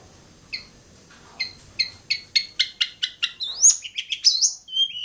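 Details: Long-tailed shrike from Bobotsari, singing: a sparse run of short high chirps that speeds into a rapid repeated series, then breaks into varied sharp whistled and squeaky notes.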